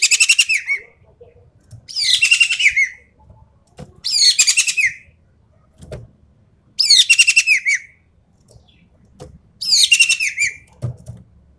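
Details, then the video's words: Harsh, rattling bursts from a Javan pied starling in 'full tembakan' rapid-fire style, for champion-bird mental tests: five loud grating phrases, each under a second, repeated about every two seconds, ending in falling notes. "BURUNG EKEK KELING SUARA FULL TEMBAKAN"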